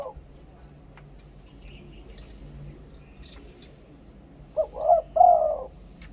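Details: Spotted dove song in the two-kuk, ku-ang style: after a long quiet stretch, a short, loud cooing phrase of two arched notes and a longer drawn coo near the end.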